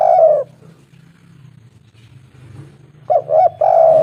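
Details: Local spotted dove calling a female in a clear voice. One coo opens the clip, then a low steady hum fills a long gap before a new phrase of coos begins.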